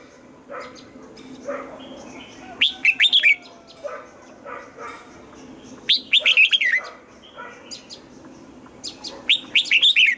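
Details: Red-whiskered bulbul in morning song training, wild double-note style. Three bursts of quick, lilting whistled notes repeat every three to four seconds, with softer chirps and twitters from other birds between them.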